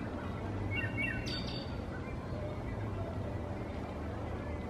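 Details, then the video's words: A single Wood Thrush song phrase: a few soft, fluty notes, then a quick, high, shimmering trill, heard over a steady low rumble. "Wood Thrush Song"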